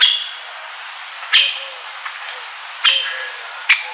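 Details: Middle spotted woodpecker in central Serbia giving four sharp, high 'kik' notes, spaced unevenly about one to one and a half seconds apart, over a faint background hiss.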